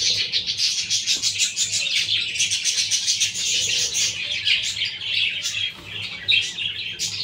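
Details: Budgerigars with small chicks: dense, continuous high chattering and chirping from several birds, overlapping warbles and squeaks with no pause, a low steady hum beneath.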